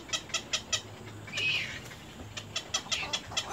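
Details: Little egret chicks at the nest, biting the adult: evenly spaced dry ticks, then a short raspy hissing burst, then more ticking, over a low on-and-off hum.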